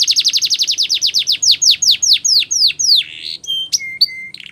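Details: Canary song for training: a quick rolling trill of downslurred notes slowing into wider swoops, followed by level whistled tones and a brief rattle.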